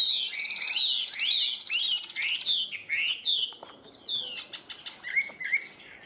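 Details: Caged Chinese hwamei offered for sale in Vietnam, a large yellow-legged bird that flicks its wings and tail while singing loudly. Rich rapid song of slurred whistles, fast buzzy trills and repeated high notes, ending in lower ringing whistled phrases.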